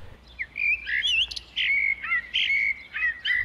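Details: Eurasian blackbird (Turdus merula) singing in spring, breeding season, in a European urban setting: rich, mellow, opera-like fluted phrases gliding up and down, broken by brief pauses and ending in thin, high twittering notes.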